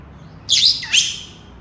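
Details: Senegal parrot, or yoyo parrot, gives two quick, shrill, grating squawks close together, each sharp and high, over a faint background hum.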